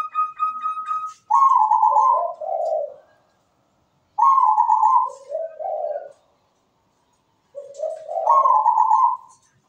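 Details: Zebra dove (perkutut) singing from its perch in a sweet, rhythmic voice: a clear whistled note, then rolling trills dropping into lower burry coos, the pattern heard three times.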